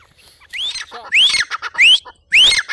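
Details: Black francolin giving harsh grating notes, each closing with a sharply rising whistle, four phrases in under three seconds.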